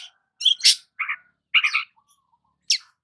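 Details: Sunbathing in the morning, a long-tailed shrike utters a few scattered notes: a sharp high chirp, two rougher burry phrases, and a final thin high note, separated by short silences.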